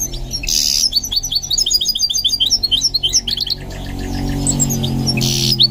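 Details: Singing goldfinch mule under training: a rapid run of high, bright chirps and slurred whistles for about three seconds, followed by softer rustling, with a steady low hum beneath.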